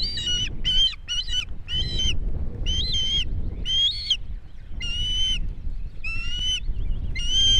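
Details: Osprey at its nest in Estonia, 2018, giving a series of short, clear whistled yelps with bright harmonics, about ten notes in quick bursts, some slightly rising, over a steady low rumble of wind.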